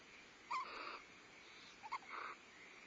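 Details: Barn owl family at a Starr Ranch nest, 14 February 2011, female feeding owlets while the male brings prey; two short, hoarse, wheezy calls about one and a half seconds apart.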